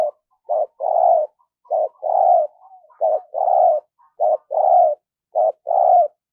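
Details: Spotted dove kept as a decoy to attract wild doves, repeating its coo phrase about five times, each a short note followed by a longer mellow coo, roughly once a second in a steady rhythm.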